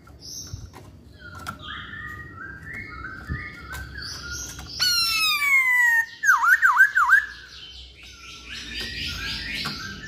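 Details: Chinese hwamei singing in short, soft, level whistles that build to a loud, falling, ringing note, then a fast run of looping, wavy whistles before quieter, rambling warbles.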